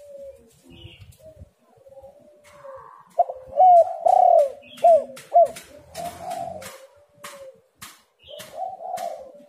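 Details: Lure recording of a spotted dove meant to make lazy birds call: soft drawn-out coos build into several loud, hooked coo notes near the middle, then fade back to gentle cooing, with steady ticking clicks.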